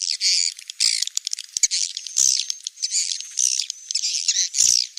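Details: Swiftlets twitter in a dense, continuous high chatter of buzzy chirps and squeaks, with a few thin, sustained whistled notes and scattered sharp clicks throughout.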